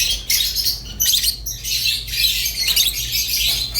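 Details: Budgerigar giving a short run of buzzy, scratchy chatter in a few bursts, fairly even in loudness, over a low constant hum.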